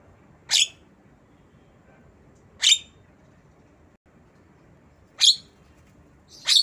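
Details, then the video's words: Black-winged myna imitating a lovebird, recorded as a tutor track for training mynas and lovebirds; four harsh, rasping shrieks, each short and sharp, spaced roughly two seconds apart over quiet background hiss. "Jalak kebo Suara Lovebird"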